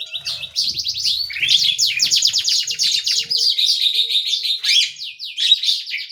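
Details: Tiny canary singing vigorously, described as 'gacor': an unbroken stream of high, fast trilled rolls, each made of rapid downward strokes, changing speed and texture from phrase to phrase, with soft low bumps and rustles in the background.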